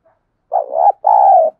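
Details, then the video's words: One decoy spotted dove phrase used to make wild doves coo: a low, wavering coo that swells in loudness, then a longer, level, husky coo, both deep and breathy. "Anh em đam mê phải mở vdeo tiếng cu mồi thúc bổi này thì chim mới xiêng gáy nhá"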